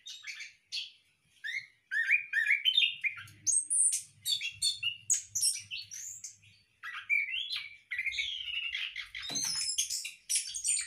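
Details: Orange-headed thrush in captive breeding in a hanging cage pours out a long, varied warble of quick whistles, chips and trills, with a soft low rumble and a thump in the background.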